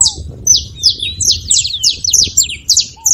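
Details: Dense, rapid saffron finch song: crowded high chirps and short trills tumbling together, with a brief low whistle at the start and end.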